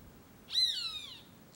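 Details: A Roadside Hawk beside a small dam on a drought-dry Caatinga property in Brazil gives one drawn-out, high, harsh scream that starts strong and slides lower over about three-quarters of a second, against a quiet background.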